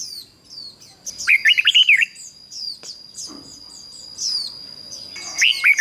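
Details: A red-whiskered bulbul sings as a decoy to call wild birds: a fast warbled run of whistled notes early on and a shorter burst at the end, amid steady thin high chirping from other birds.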